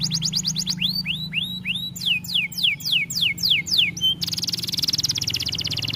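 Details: Canary singing for tutoring other birds: quick high trills, rising scooped whistles, then loud descending slurred notes and a dense buzzy rattle, with a faint low hum beneath.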